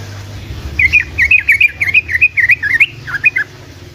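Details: Sooty-headed bulbul in ropelan style, meant to coax silent bulbuls into replying: around fifteen quick, warbling, up-and-down notes in a dense chattering run lasting under three seconds, with a faint low hum beneath.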